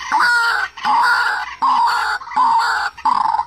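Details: White-breasted waterhen calling, recorded as a lure for bird-trap speakers: five loud, harsh, drawn-out croaks, each about half a second long with brief gaps between them.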